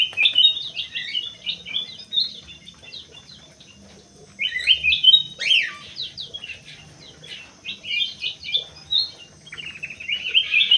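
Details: Crewet in an aviary singing rapid jumbled twittering phrases of high chirps and trills, with a quiet gap mid-phrase before a second energetic burst.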